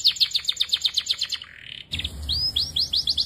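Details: Belgian canary in full song, giving a quick even trill of sharp chipping notes, a short buzzy blur, then a series of clear upward-sweeping whistles repeated rapidly.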